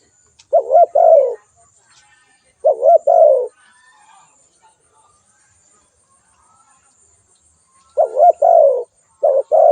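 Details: Spotted dove repeating its two-part coo: a short wobbly note and a longer falling one. Two calls come early, then a quiet gap of several seconds, then two more calls.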